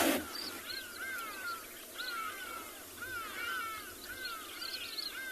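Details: Hadeda ibis at Tswalu Kalahari Reserve, South Africa, during a 9 November sunrise game drive, calling with loud, harsh, nasal caws about once a second over a busy chorus of higher birds, including red-chested cuckoo and Cape turtle dove.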